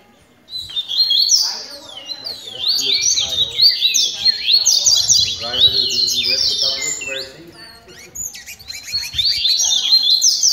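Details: Several double-collared seedeaters in a song training session, singing a dense, fast run of high, sweeping whistles and sharp chirps, with jumbled phrases overlapping almost continuously, a brief pause near the eighth second, and faint lower sounds beneath.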